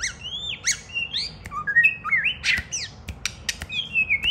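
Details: White-rumped shama, a pet bird singing while a child plays with it and it hops onto a hand: rich whistled phrases with quick up-and-down slurs and sharp clicks, varied notes sliding across a wide range.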